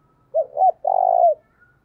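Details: Spotted dove calling to lure wild doves at dawn: a low three-part coo, two brief rounded notes leading into a sustained, gently vibrating final note, nothing else audible.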